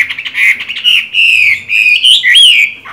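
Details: Chinese hwamei singing well during its moult, green-eyed: an unbroken, loud warbling stream of rich slurred whistles, rising to a high sweeping note near the end.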